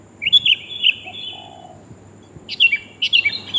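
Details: Female sooty-headed bulbul calling the male, a recording used to lure wild birds; two bursts of bright chirping notes with short slurred phrases, separated by a quiet pause, over a faint low hum.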